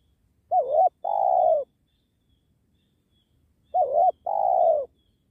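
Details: Spotted dove, a 'penguku' type, during dove trapping beside a sacred tree. Two loud, low cooing phrases about three seconds apart, each a short wavering note then a longer steady hoot that slides slightly downward. Quiet background.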